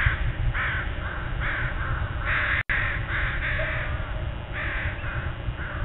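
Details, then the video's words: Crows at dawn giving harsh, rasping caws in irregular bursts from several birds, over a heavy low-pitched background rumble. "Dawn with a Murder of Crows"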